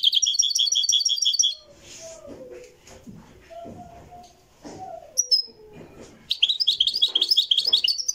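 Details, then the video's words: Moroccan goldfinch, Marrakchi style, recorded live: brisk high twittering phrases at the start and close, with human speech filling the middle. "تغريد الحسون المراكشي"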